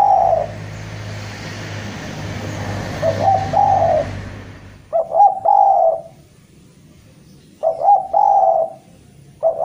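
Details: A Javan spotted dove calls a rival. Cooing phrases first sound through a loud, hissing, rumbling background, which then stops and leaves clear repeated phrases of clipped notes and a long husky coo.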